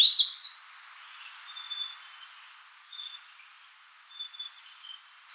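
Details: A Magnolia warbler opens with a quick, loud series of high sweeping notes that climb in pitch, followed by faint thin whistles and quiet background before a new phrase begins at the end.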